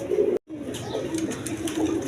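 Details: Local and foreign coloured pigeons housed indoors, steady low murmuring coos running on after a brief break, several birds blending into a continuous hum.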